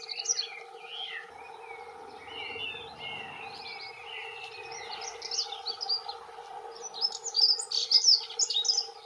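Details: Male dunnocks, two of them, singing territorial song: scattered high twittering notes that swell into a dense, fast warbling burst near the end, with faint low rumble midway and steady background hum.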